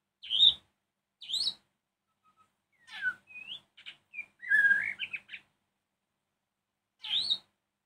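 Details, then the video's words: White-rumped shama's evening song, meant to make other shamas answer angrily: loud high chirps, then a rapid mix of rising whistles and a rich warbled phrase, a pause, and a final sharp note. "Kicau Murai Batu Sore hari bikin murai lain nyahut emosi"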